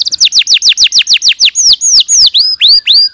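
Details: Canary singing clearly on a training recording meant for other canaries: a fast run of sharp descending chirps that slows into longer, rising-then-falling whistled notes.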